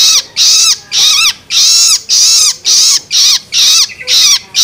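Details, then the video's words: Juvenile long-tailed shrike begging calls, known locally as loloan, used to stimulate adult birds: harsh, raspy, broadband screeches with descending tones, repeated about twice per second in loud bursts separated by short gaps. "Cara Jitu Untuk Merangsang Burung Cendet Dewasa Dengan Suara Loloan Anakan Cendet"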